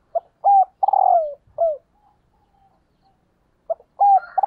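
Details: Female spotted dove calling as a decoy to rouse males. A complete cooing phrase of short notes, then a long, husky, downward-sliding coo, followed after a brief quiet gap by the start of another phrase.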